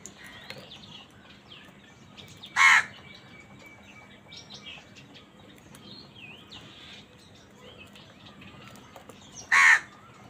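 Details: Angry crow fighting other wild birds for food: two loud, harsh caws about seven seconds apart stand out over a quieter background of faint chirps and twitters from other birds.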